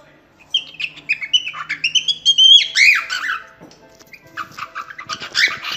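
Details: Cockatiel singing a warbled phrase of stepped and gliding whistles, followed by raspier, noisier chatter notes in the second half.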